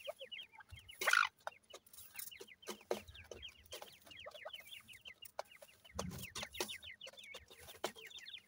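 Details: Grey francolin (teetar) chicks, male and female, with local names gora and dakhni teetar. A dense chorus of short, high, downward-slurred peeps repeated rapidly and overlapping, with occasional loud broadband knocks and handling noises.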